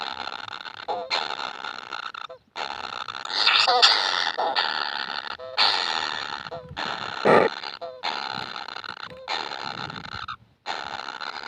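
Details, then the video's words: Kingfisher nestlings asking for food give a long series of coarse, hissing buzzes, each lasting about one second, with brief gaps between them and some bursts louder than others. "BABY BIRD KINGFISHER ‼️ YANG TAK PERNAH KENYANG ATAS MAKANAN"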